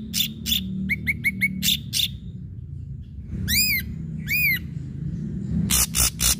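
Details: Ashy drongo singing hard as a lure for other songbirds: rasping bursts, a rapid string of short two-part chips, then two looping ringing whistles and more harsh notes.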